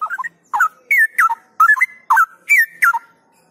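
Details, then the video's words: Outdoor training of a kept straw-headed bulbul (cucak rowo) from Indonesia, aimed at steady gacor and ngropel singing: an unbroken run of about eight loud, rollicking whistled bursts, fluty and tumbling between lower and higher notes. "Ngelatih Cucak Rowo Di Luar Biar Suara Gacor dan NgropelNya Makin Yahud"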